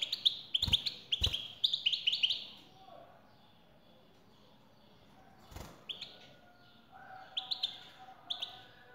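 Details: European goldfinch, male singing in answer to a female's call: a dense run of rapid, tinkling high notes opens the passage, then sparse twittered phrases after a pause, with a few sharp clicks.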